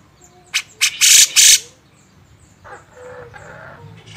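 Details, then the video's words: Master recording of a grey-cheeked bulbul for training songbirds, style tagged beset ngepik: two short harsh notes lead into two long, loud, grating rasps, followed by quieter low chatter. "masteran burung cucak jenggot"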